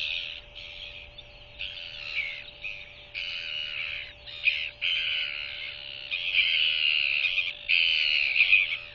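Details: Newly hatched Royal albatross chick begging as its mother feeds it by regurgitation at the nest in the evening, 21 January 2023, on a nest camera. It gives a series of harsh, high, squealing peeps in bursts of roughly one second, with a steady background hum.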